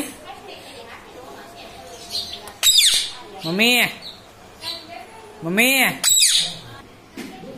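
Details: Pet parrot indoors, described as saying "mummy" and "papa", answers a person repeating "mami" with harsh high squawks and arching voice-like syllables spaced a few seconds apart, in a small room.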